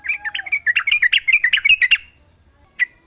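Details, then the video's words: Yellow-vented bulbul song intended to coax other bulbuls into answering. A fast, bubbling string of warbled chirps runs for two seconds, then one isolated note after a pause. A faint steady high tone continues behind. "trucuk gacor full suara alam ampuh buat pancingan agar bunyi jadikan trucukmu gacor nyaut"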